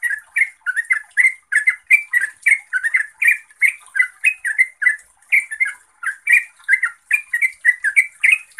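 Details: Yellow-vented bulbul singing gacor and neropel, a nonstop rollicking chatter meant to make quiet trucuk reply: evenly paced, gurgling doubled notes throughout.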